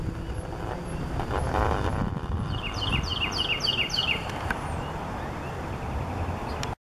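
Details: A northern cardinal at Cypress Wetlands sings a quick run of about eight clear, downslurred whistles over a steady rumble of passing traffic.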